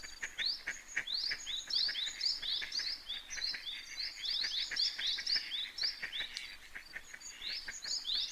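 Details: Eastern spot-billed duck with ducklings, 21 May 2023; many high, sharply rising peeps overlap in a busy chorus of about four calls a second, mixed with scattered short clicks and taps.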